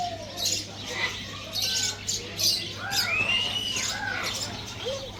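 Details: A dancing pair of sun conures, with short raspy squawks mixed with rising and falling whistled notes and chattering sounds, over a constant low background hum.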